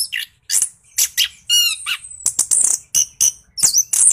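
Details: Lively 'gacor ngeroll' singing of an orange-headed thrush, played to provoke reluctant birds to answer. Quick sequence of shrill, warbled notes, a downward-sliding whistle series and harsh high chatters in tight succession.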